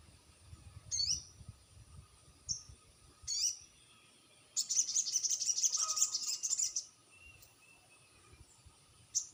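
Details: Lure call of a crested jay meant to make other jays answer: a few isolated sharp high notes, then a dense, rapid, shrill rattle lasting about two seconds, followed by quieter scattered notes.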